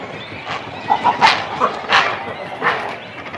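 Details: Cormorant chicks and adults on nests at a colony give harsh, rasping bursts about every 0.7 seconds, mixed with brief higher squeals, over a steady background hiss.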